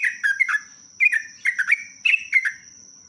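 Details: Sooty-headed bulbul song used as a lure, with long trilling phrases. Three quick clusters of bright, downward-slurring whistled notes about one second apart, over a constant high electronic-sounding whine.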